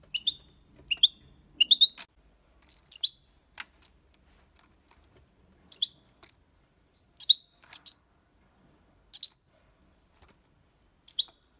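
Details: European goldfinch singing clean in the Copia Málaga style, used to stimulate young birds: sparse high tinkling chirps and short two-note twitters spaced a second or more apart, with long silent gaps.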